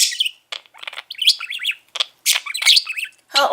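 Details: Mango, a male budgerigar nearly six years old, talks non-stop early in the morning while being fed, chattering in rapid, high bursts of scratchy warbles and clicks that mimic speech; a woman's voice speaks briefly.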